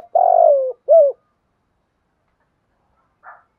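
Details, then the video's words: Spotted dove, 'thúc gù' call in 'giọng thổ' voice: one long, slightly falling coo followed by a short rounded coo, then silence with a faint brief sound near the end. "cu gáy thúc gù giọng thổ"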